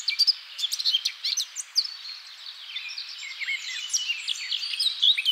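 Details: Eurasian blackcap song: a rapid, varied warble of high chirps, whistles and fluttering notes, continuous and dense throughout.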